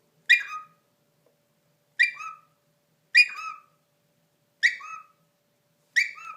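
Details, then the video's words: Indian ringneck parakeet, a pet male bird playing peekaboo and making silly noises: five short harsh squawky calls, each a bright burst falling into a lower drawn-out tail, about every one and a half seconds, clean quiet background. "Indian Ringneck Peekaboo's and Makes Silly Noises"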